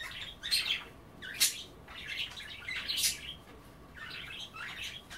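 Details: Indoor pet budgies nibbling kale and water at bath time; scratchy, squawky chatter with sharp bright chirps at roughly one-and-a-half-second intervals over continuous warbling.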